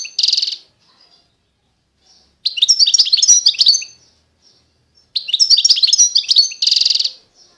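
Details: Song of an eastern Algerian Constantine goldfinch: a buzzy note, then two long runs of rapid, tinkling twitters, the second ending in a harsh buzzing trill.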